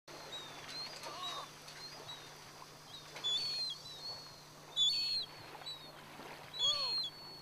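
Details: Gulls resting at Seonsu ferry pier on Ganghwa Island, Korea: short, high, squealing calls come in bursts roughly every one and a half seconds, with softer, lower, arched mewing notes between them, over a steady low hum.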